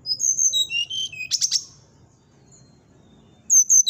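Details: Brown-chested jungle flycatcher whistling, a song said to stir up a neighbouring flycatcher: a fast series of high whistled notes stepping downward, a few harsh buzzy bursts, then quiet before another sharp whistled phrase begins.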